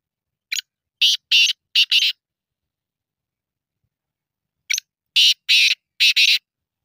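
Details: A black francolin utters two matching phrases of coarse, scratchy notes, each a quick short note followed by longer paired rasps, with roughly two and a half seconds of silence between; background very quiet.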